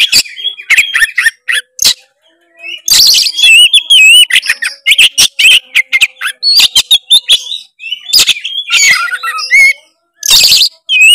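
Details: Vigorous Oriental magpie-robin song aimed at a rival, played to prompt a lazy bird to sing; rapid clicks and harsh bursts alternate with looping, wavering whistles in long, busy runs.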